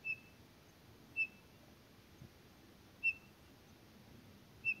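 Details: Townsend's solitaire calling at Elena Gallegos, a lone clear whistled note given at irregular intervals of one to two seconds, sharp and piping, with a very quiet background.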